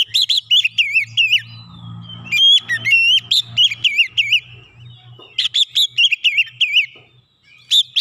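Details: An Oriental magpie-robin delivers 'nembak rapat' song for a training recording, with bursts of fast, wavering whistles and sharp high chips. The bursts are broken by short pauses. A low steady hum runs underneath for the first half.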